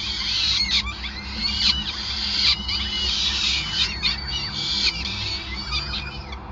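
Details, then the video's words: Peregrine falcons at the nest during an extended feeding, Gasunie building, Groningen, Netherlands, 5 May 2020; continuous shrill, buzzy squealing calls with brief harsh downslurred notes, steady low background rumble. "Slechtvalk ~ Endless Feeding"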